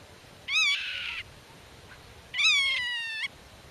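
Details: Nest-defending Black-tailed godwit guarding its territory from intruders and calling to young hidden in grass; two loud, rich nasal calls, the first sharp then buzzy, the second longer and gently falling, about two seconds apart.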